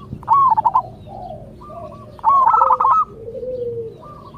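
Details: Two loud bursts of clipped, trilling coos from a local zebra dove singing to provoke replies from other zebra doves. Softer, lower drawn-out coos from other doves follow each burst.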